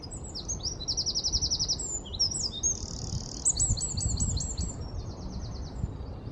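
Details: Eurasian wren heard in London on 4 November 2019 delivering a loud, fast song of high trills, rattles and sharp chipping notes in quick succession, with a low rumble of background noise underneath.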